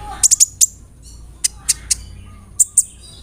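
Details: Lure song from a brown-throated sunbird (kolibri ninja), roll nembak style with cricket, cililin and sparrow fill-ins: four quick shrill ticks, then spaced single high chips and a final pair of piercing notes.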